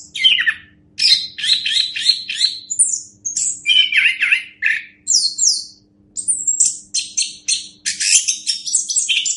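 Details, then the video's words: Varied, energetic song of an orange-headed thrush, recorded as a master track for other birds to learn: scratchy repeated bursts, slurred whistles and high buzzy notes in quick succession, with a low electrical hum behind. "Masteran Anis Kembang"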